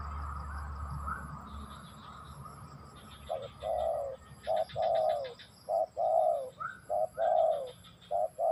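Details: Spotted dove song: pairs of mellow coos, a short note then a longer falling one, repeated steadily in the second half, with bursts of pulsed high chirping and a constant faint whine in the background.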